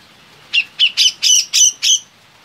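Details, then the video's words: Captive grey-cheeked bulbul (cucak jenggot), a loud-voiced songbird in full song, gives a quick run of six harsh, squawky notes, about three per second, over a quiet background. "Burung Berkicau Gacor (Cucak Jenggot)"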